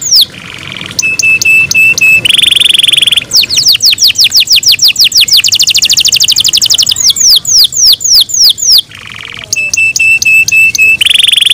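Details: Canary song in the morning from kept birds: long, varied phrases mixing steady flat trills, rich buzzy rolls and runs of rapid falling sweeps, changing tempo throughout with short pauses between sections.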